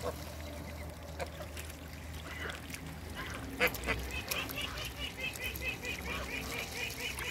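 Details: Backyard Toulouse geese at play in the water: scattered honks, then a run of quick, evenly repeated nasal calls, several birds overlapping amid splashing.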